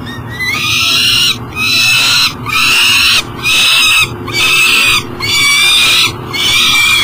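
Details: Minnesota peregrine falcon outside its riverside nest box with food at 7 am in July 2012 calls insistently: rasping, high, drawn-out wails, roughly one per second, each cut by a brief pause.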